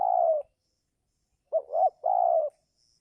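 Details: Spotted dove calling in the giring season to lure wild doves down: one long, slightly falling coo, then a phrase of two quick notes followed by a sustained mellow coo.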